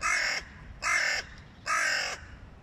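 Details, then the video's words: Hooded crows during a fight between males of two rival clans over high value food while the young feed; three loud, harsh, evenly spaced caws. "Клановые разборки у ворон из-за еды \ Crows. Clan wars over high value food"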